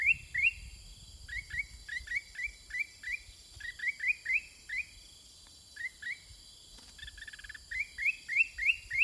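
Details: Sooty-headed bulbul trading calls with wild birds: a rapid run of short, bright, downslurred notes, about three per second, briefly broken by a pause, with a steady high insect drone throughout.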